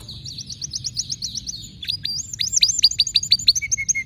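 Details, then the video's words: Singing canary with special notes: a rapid wavering whistled trill followed by a series of upward-sweeping syllables and some lower repeated notes, with a faint low hum behind. "تغريد روووعة ونوطات مميزة canary"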